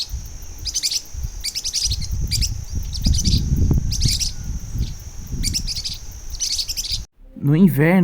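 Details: In Brazil at the start of the dry season, blue-winged parrotlets in numerous flocks, feeding on dry seeds and perched atop a tree, give bursts of high, thin chattering chirps in quick clusters every second or so over low rumbling, ending with a brief musical snippet.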